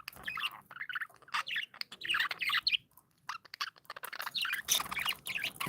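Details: Pet budgerigars chirping together, described as happy; busy overlapping warbles, squeaky chirps and short chatters in rapid irregular bursts with brief pauses, no other clear sounds.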